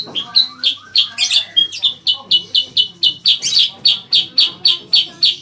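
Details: Bayeman, also called cicak kurincang, a songbird kept for training competition birds; a loud, steady run of sharp chirps near the top of the range, about four per second, some doubled, with faint low background hum.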